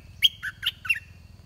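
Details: Decoy red-whiskered bulbul singing to lure wild bulbuls. A single short, loud phrase of four clear whistled notes that alternate higher and lower, then fade into quiet low background rumble.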